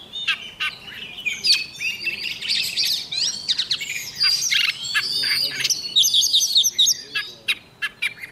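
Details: Oriental magpie-robin decoy bird in morning song training for quickly rousing birds: busy, varied phrases of whistles, buzzy notes and sharp clicks, rising and falling in loudness over the whole stretch.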